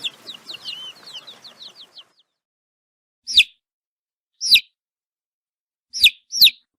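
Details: Baby chicks giving sweet chirps and peeps: a rapid run of high falling peeps for two seconds, then silence broken by single sharp peeps and close double peeps every second or so.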